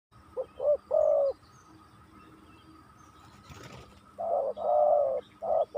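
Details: Spotted dove used as a lure (pikat) to draw a fierce wild rival; low, mellow cooing notes in two bursts, several short hoots then a longer rolling coo, separated by a quiet gap with a faint rustle.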